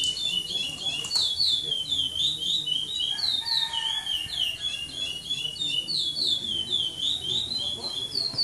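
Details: Chestnut-bellied seed finch of the brown 'pardo' type, competing in the 2014 Maranhão praia clássico singing tournament, delivers continuous loud, swooping high whistled notes in quick succession for the whole stretch. A lower tone and soft background chatter are also heard.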